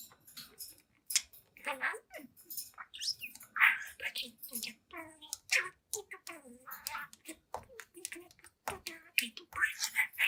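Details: Young pet budgerigar, seven months old, chattering and talking to itself in front of a mirror indoors; a dense, fast stream of scratchy, speech-like warbles and squeaks with barely a pause for the whole stretch.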